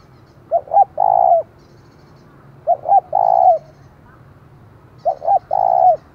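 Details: Spotted dove used as a decoy, its loud call carrying far to stir up rivals; three evenly spaced phrases about two seconds apart, each two short notes and a longer sustained coo.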